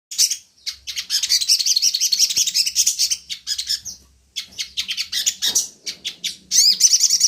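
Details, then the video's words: Sogon (crimson sunbird), recorded as a lure to provoke other birds into singing: very high, thin, rapid sibilant trills and twitters run almost without pause, broken by one short silence near the middle before resuming just as busy. "pancingan burung sogon"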